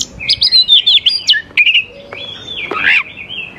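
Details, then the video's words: Oriental magpie-robin in energetic song, meant to lure young wild birds into singing; a fast run of warbled whistles, then a long wavering whistle ending in a rising scratchy flourish. "KACER GACOR SANGAT AMPUH UNTUK MEMANCING KACER MUDA HUTAN BIAR IKUT NYAUT DAN LANGSUNG GACOR"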